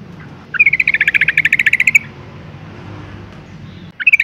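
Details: A female yellow-vented bulbul calls to stir males into song, giving a fast, even rattle of about fifteen bright chirps over one and a half seconds, then silence before a fresh burst begins.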